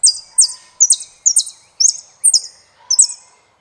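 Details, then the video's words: Saffron finch song: seven sharp, high, buzzy phrases, each a quick downward flick into a short trill, repeated about every half second in a steady rhythm. "JILGUERO ARGENTINO - El peregrino"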